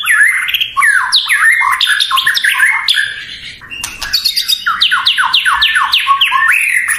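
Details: White-rumped shama (murai batu) song meant to provoke rival birds: rapid cascades of steeply falling whistled sweeps, nearly continuous, with a brief quieter break midway.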